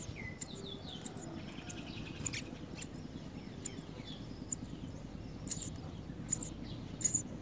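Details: A parent house sparrow feeds a large blue caterpillar to its chick, which begs with short, high, thin chirps in scattered bursts, about one every second, over a steady low rumble.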